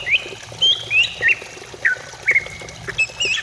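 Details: Singing greater green leafbird used to stimulate other birds: scattered clear whistles, some rising and some dipping, spaced irregularly over a faint steady hiss.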